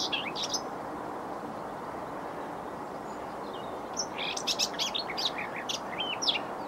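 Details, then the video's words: Common whitethroat singing at 6:30am on an overcast 27 April 2020 beside a railway line in Bedfordshire: a brief, scratchy, hurried warble of high jumbled notes after a short opening chirp, over a steady low rushing background. "Whitethroat Singing"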